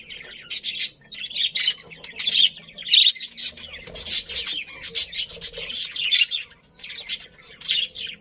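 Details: Happy budgerigars chirping in a colony: a steady stream of raspy, scratchy chatter and high squeaks, many birds overlapping, swelling and fading in irregular bursts.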